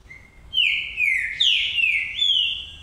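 Green-winged saltator singing loud, clear whistled phrases, each sliding downward, four in under three seconds; nothing else stands out.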